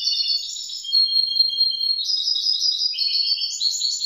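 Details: Young goldfinch mule of grey-blue colour sings clear, tinkling trills in short blocks that jump between higher and lower pitches, fast and unbroken.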